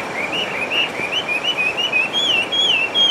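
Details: Wild hwamei, or melodious laughingthrush, singing: a run of bright wavering whistles, each note sliding up and down, repeated almost three times a second and rising slightly in pitch toward the end over a quiet hiss.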